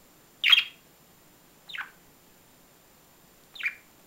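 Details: Budgerigar calls: three short, sharp descending chirps, the first loudest, spaced about one to two seconds apart against a quiet background.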